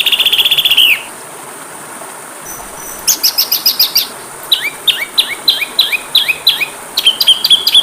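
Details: Song of an Oriental magpie-robin, played for training caged birds: a brief buzzy trill and a pause, then lively repeated chirps and upslurred whistles in quick irregular sequence.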